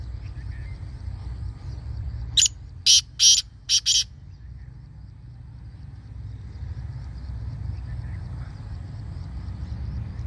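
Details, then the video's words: Kala teetar, the black francolin, calling a burst of five harsh, rasping notes in a tight rhythmic phrase lasting about a second and a half, with quiet low rumble around it. "Black Partridge Voice | Kala Teetar Voice | Kala Teetar Ki Awaz"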